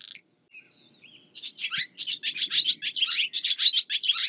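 Barn swallow song: a fast, continuous twittering of high, scratchy chirps and warbles, preceded by a few thin whistled notes.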